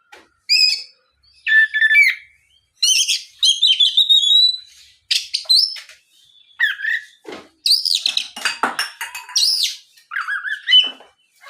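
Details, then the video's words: Sustained lure song of an Oriental magpie-robin to stir other magpie-robins to answer: dense mix of clear whistles, rapid trills and harsh grating notes, in bursts about every second or two. "SUARA PIKAT BURUNG KACER GACOR NGEPLONG"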